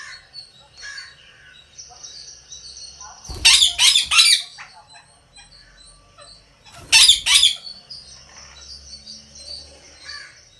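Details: Rose-ringed parakeet kept as a pet at home, giving two bouts of loud, harsh, piercing screeches in rapid series about three seconds apart, with softer chatter and household sounds between.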